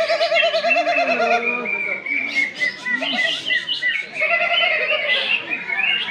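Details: A greater green leafbird competing in a songbird contest class at a festival in North Malinau, North Kalimantan, placing runner-up, pours out a rich, fast medley of warbles, slurred whistles and bright chatter, amid other birds, music, clapping and voices.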